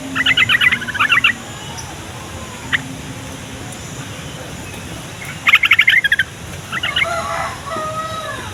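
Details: Yellow-vented bulbul song for provoking young males and females and lazy singers to respond: a long bubbling chatter at the start, a pause, then another rapid burst and a rougher trailing phrase.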